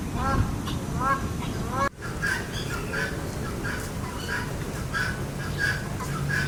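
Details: A peacock gives its signature call, short nasal honks in quick succession, around a tail-spreading courtship display. Softer chirping notes follow after a cut, over a steady low background rumble.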